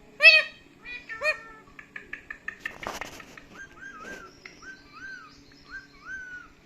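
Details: Pet parrot indoors, talking and screaming angrily: a few loud harsh harmonic squawks, then a run of short clipped chattering notes, a burst of noisy rasp, and several soft whistled rising-falling notes near the end.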